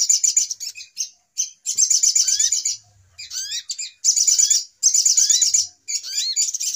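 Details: Lure call of little spiderhunter for trapping: short, loud bursts of rapid high chattering, each less than a second long, split by silences and a few rising whistles.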